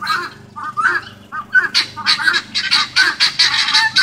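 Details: Several guineafowl in a front yard scold a dog. A few scattered harsh notes build into a rapid, continuous grating chatter of short buzzy cries, loud and insistent.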